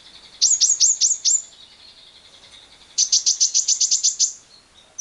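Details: Shrill lovebird chatter in the long 'ngekek' style, used to stimulate other lovebirds: five sharp descending chips, a quiet stretch, then a rapid, high repeated burst lasting over a second.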